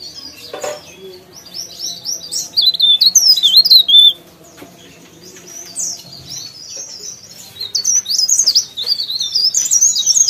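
A leaf warbler sings a rapid, high, thin twittering of sliding notes in quick varied bursts, pausing briefly midway before resuming.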